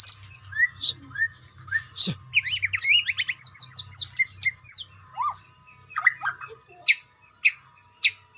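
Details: Captive white-rumped shama (murai batu) during routine flight-cage exercise for stamina, giving a varied run of quick chirps, short trills and sharp downslurred whistles, some phrases lower and rattling, with a faint low hum beneath.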